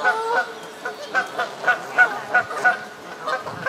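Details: Bathing Canada goose on the South Pond, Midhurst, West Sussex, England: clean, evenly spaced nasal honks, about three a second, each a short bright note standing out over a quiet background.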